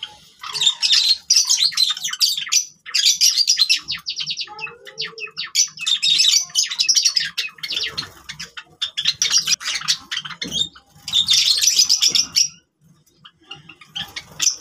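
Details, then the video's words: Several captive Java sparrows (Java finches) fill the air with rapid, high chattering bursts of clicks and trills, overlapping in busy spells a few seconds long. "java sparrows sound"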